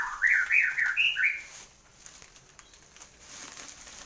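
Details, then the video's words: After moulting, a caged white-rumped shama gives a brief burst of looping whistled notes lasting just over a second, followed by quiet with faint clicks and rustling. "burung murai abis paska tapa mabong . gacor"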